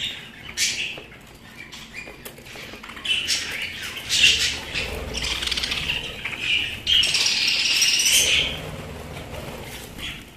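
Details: Pet budgerigars start quietly with scattered chirps, then break into loud, busy squawking and a long, bright warbled burst.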